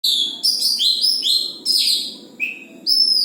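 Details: Oriental magpie-robin whose song is described as getting strong, nearly ready to be hung in the cage: loud, clear whistled phrases of varied pitch, slurred and rising notes repeated in quick succession, with a soft background hiss.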